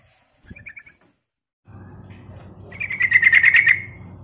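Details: Sooty-headed bulbul call played to lure birds: a few soft chirps, then after a low steady hum sets in, a loud rapid buzzy chatter of harsh notes lasting about a second.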